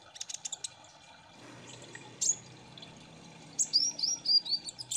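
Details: High chirps from a Kolibri Ninja sunbird used as a lure song, a short pause with a soft rushing background, then a bright sharp note and a string of upslurred whistles.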